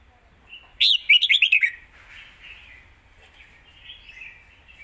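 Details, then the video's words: Red-whiskered bulbul singing fast zone-style phrases: a loud rapid cascade of about seven chirpy whistled notes lasting under a second, followed by softer warbling from other birds in the background. "สายเพลงโซนห้ามพลาด"ทีเด็ดเพลงโซนปากไว เพลงรัวๆ"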